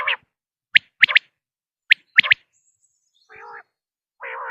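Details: Two crisp three-syllable phrases from a common quail, followed by two low, buzzy, nasal mewing notes toward the end, with otherwise quiet surroundings.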